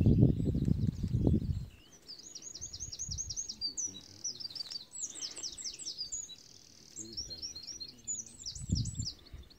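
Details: Black-headed bunting at Flamborough giving quick runs of high, thin chirps, several rapid notes per phrase over a few seconds, with low rumbling noise at the start and end.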